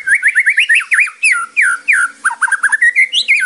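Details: Song of a white-rumped shama meant for training birds: a quick string of loud whistled notes, swooping slurs and short trilled phrases, climbing higher toward the end.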